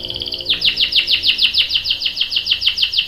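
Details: Canary song with a young bird answering: a short two-tone buzzy trill, then crisp, evenly spaced downward-swooping whistles repeated about three times a second.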